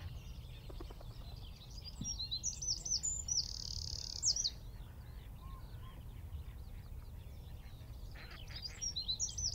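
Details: Eurasian wren in a tree at Wicken Fen, about 15 m distant, recorded on a phone via telescope and shotgun mic: high, rapid twittering song with a sustained buzzing trill, over faint background birds and steady low rumble.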